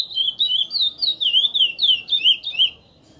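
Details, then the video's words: Chestnut-bellied seed finch (curió) singing in the praia song style: a rapid run of clear, sweet whistled notes, each sliding down and up, repeated about three times per second with short gaps, ending in quiet. "CURIÓ PRAIA MINEIRINHO NETO"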